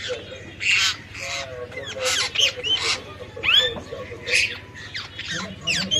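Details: Nepali parrot calling in rapid bursts of harsh, raspy squawks mixed with short rising whistled notes, roughly two or three calls per second, against a faint low rumble.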